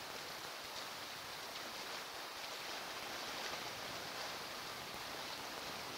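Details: Steady broadband hiss like distant surf or flowing water fills the recording, with no animal calls.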